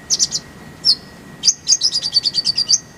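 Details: Kolibri ninja master song with isian and tembakan rolls. A short burst of high chirps and a lone note lead into a rapid series of about a dozen sharp, slightly falling tweets, over a low constant hum.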